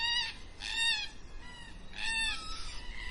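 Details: At dusk, black cockatoos give drawn-out, wailing, harmonically rich calls, three bursts within three seconds, with a softer rising note trailing after.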